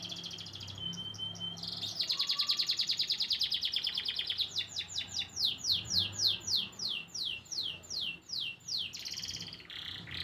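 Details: White crested canary singing a varied song: buzzy trills and rapid repeated notes, then a run of descending sweeps about three per second, ending in high chirps.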